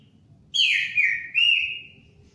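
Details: Orange-headed thrush singing a short phrase of loud, clear whistles that slide downward, then a long drawn-out whistle tapering off, against a faint low hum.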